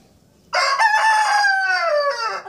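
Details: Rooster crowing at dawn: after a short silence, one loud crow of about two seconds. It opens harsh and ragged, then stretches into a long, slightly falling, drawn-out note that fades at the end.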